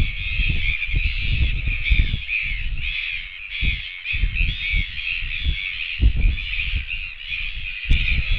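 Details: Royal albatross chicks on a New Zealand nest camera, several begging for food as one chick returns: a steady band of high, wavering squeals and whines, with heavy wind buffeting rumbling underneath throughout.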